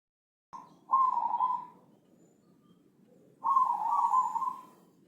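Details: Javanese zebra dove of the Senin Mataram line with a thick voice in ngepat style, recorded as a master for training other birds: a brief opening note, then two rolling, burry cooing phrases about two seconds apart over a faint low hum.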